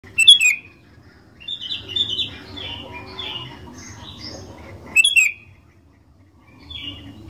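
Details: Sooty-headed bulbul in full song, used as a lure to get other bulbuls singing: a sharp, ringing chirp opens, then a run of varied warbled notes, another bright double chirp near five seconds, and a soft closing phrase.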